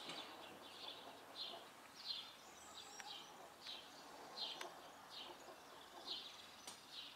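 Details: Common kestrel (Falco tinnunculus) at a neighbours' place in Ljubljana on 7 April 2024, giving a steady series of sharp, high notes about every two-thirds of a second against a soft outdoor background and a few faint clicks.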